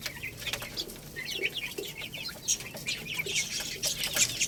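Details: Lohmann Brown chicks, a little rooster and baby hen, chirping while eating rice; many short, high peeps tumble over one another in a busy stream, mixed with light clicking pecks.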